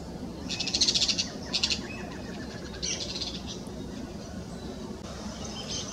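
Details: Noisy Yellow-chevroned Parakeets call close by in rural farmland in the morning: bursts of shrill, rapid chattering notes in short clusters, with quieter scratchy calls between, over a steady low background rumble.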